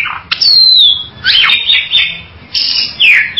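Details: Bali myna giving a loud falling whistle, then scratchy, buzzy phrases and a final harsh downward-slurred note, all high-pitched and closely spaced.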